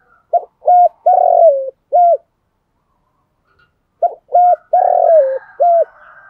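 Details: Spotted dove kept as a decoy and cooing to draw in wild doves; two matching phrases of short note, steady coo, drawn-out descending coo and last steady coo, followed by soft background chirps.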